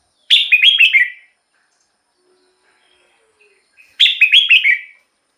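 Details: Red-whiskered bulbul kept in a cage, singing to rouse other birds or draw in wild birds: two loud, near-identical bursts of rapid bubbly warbled notes, about three seconds apart, with quiet between.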